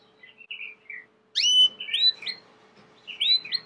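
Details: Domestic Belgian canary song opening with soft short warbled notes, then after a pause loud sweeping upslurred whistles and chirps in quick varied phrases.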